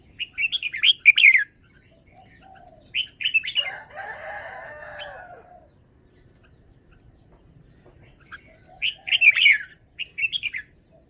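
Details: Red-whiskered bulbul delivering its song style in separate bursts of quick, warbling whistled phrases. A rougher, scratchy sound sits between the first bursts and the later ones, with quiet gaps in between.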